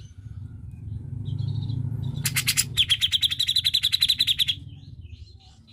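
Grey-cheeked Bulbul: a short high whistle, then a harsh buzzy burst and a fast, shrill rattling trill lasting about two seconds, over a steady low rumble.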